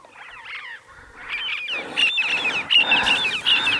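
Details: Snow partridges, part of a scattered group of 13, in the high Himalaya above 12000 ft on snow in the early morning: overlapping chattering series of short rising notes that grow louder, several birds calling together.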